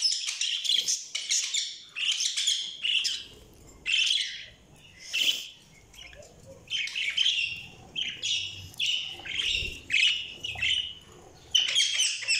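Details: Budgerigars chirping: bursts of busy, warbling chatter and squeaky chirps, broken by short pauses, continuing throughout.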